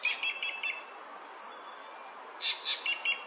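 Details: Inca jay, a member of the crow family, giving short rasping double notes in quick groups, interrupted by one long pure high whistle held about a second before the harsh notes resume.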